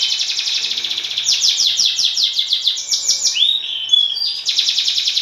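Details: Champion canary song used to encourage other canaries to sing: a continuous buzzy trill, a run of rapid downslurred notes, a clear whistle, then trilling again.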